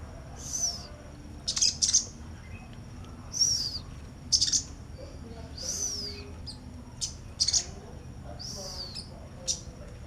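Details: Busy chirping from a sunbird near a female: a long series of very high, ringing downslurred whistles alternating with short sharp double tweets, roughly one phrase per second, over a faint low hum.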